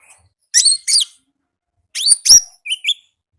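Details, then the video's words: Wild konin in energetic song, paired bright high chirps with downslurred whistles, then two more strong chirps and a pair of short rising whistled notes. "AUDIO KONIN GACOR NGALAS Suara Asli Alam Liar"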